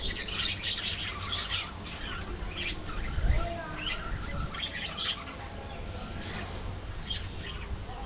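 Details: A budgerigar colony chattering: bursts of bright chirps and twittering notes come in clusters, over a constant low rumble.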